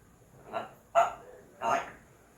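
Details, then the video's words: Pet African grey parrot chatting with its owner at home, producing three short, voice-like syllables in under two seconds, the middle one loudest, after the owner speaks affectionately to it. "AFRICAN GREY PARROT talking"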